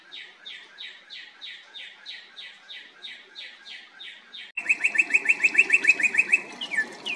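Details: Territorial or courting male northern cardinal near a house; a steady series of falling whistled notes, about three a second, followed by a faster, sharper run of repeated clear notes against faint background hiss.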